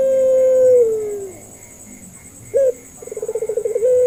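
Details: Puter pelung Barbary dove, a lure recording for doves slow to call: a long steady coo sinking away at its end, a pause, a single short note, then a rapid beating trill rising into another sustained coo; faint hum behind.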